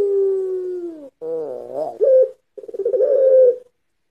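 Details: Barbary dove in pelung style, a lure for training: a long gently falling coo, then a quavering harmonic phrase, a short sharp coo, and a rolling pulsed coo that smooths into a held note.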